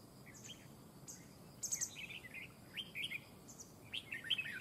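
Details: Red-whiskered bulbul used as a decoy bird in a fight trap, singing short bursts of bright chirpy warbled notes in scattered phrases over steady background hiss.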